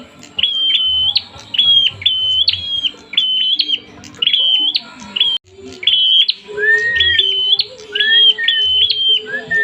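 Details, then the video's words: An agitated prinia in fighting mood. Sharp, ringing notes with flat, clipped tones are repeated in quick phrases about every second, with lower sliding whistles and soft background hum. "burung prenjak atas kalo sudah emosi bikin geleng kepala"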